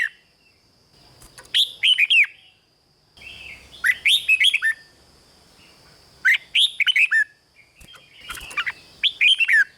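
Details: Caged red-whiskered bulbul from Thailand singing in the rik style, played to stir up caged birds. Four bright, warbling phrases of quick rising and falling whistled notes, each about a second long, come every two seconds or so over a steady high electrical whine.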